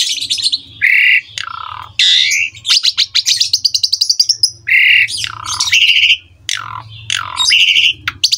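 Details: Asian pied starling song used as a master recording for young birds to copy: loud, varied phrases of harsh squawks, downslurred whistles and rapid buzzy rattling trills, with a low hum underneath.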